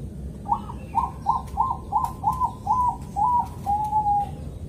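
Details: Bangkok-type zebra dove from Kediri, East Java, singing a calm morning rhythm meant to coax other zebra doves into song: a run of about eight short, soft cooing note groups ending in one drawn-out level coo, over low background rumble.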